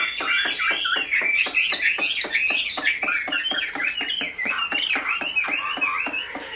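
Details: Chinese hwamei kept in a cage, pure-bred with a big build, warbling varied whistles while a rapid run of sharp clicking taps sounds throughout.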